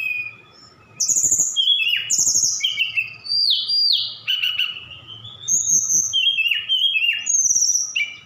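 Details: A Sukabumi Javan bush lark sings continuously with imitations of cililin, sikatan londo and others woven in: varied high whistles, downward-sliding buzzy notes and quick chirp runs, barely pausing, over a faint hum.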